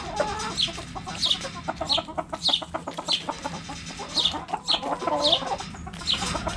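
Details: Backyard chickens at a cabbage: a steady patter of short, low clucks and purring notes, crossed by high, thin, downward-sliding chirps roughly every half second.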